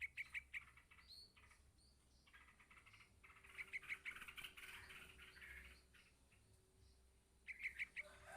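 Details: Yellow-vented bulbul chick calling its parent: quick clusters of three or four high, sharp chirps, repeated roughly every three and a half seconds, over a steady hissing background.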